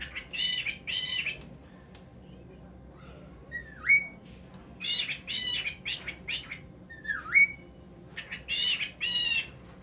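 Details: Cockatiel alternating loud, raspy double squawks with clear upswept whistles, the pattern of squawks then a rising whistle repeating across about ten seconds.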